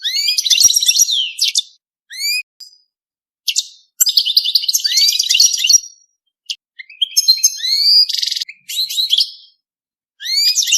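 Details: Mating song of a European goldfinch, a lively run of rising liquid whistles, fast twittering phrases and one harsh buzzy note, in bursts with short silences between.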